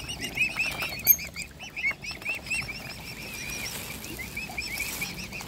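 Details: Mute swan cygnets of a family being fed by hand, hungry; a run of high, thin, arched peeps in the first half, then fading to softer scattered peeps over a low background rumble.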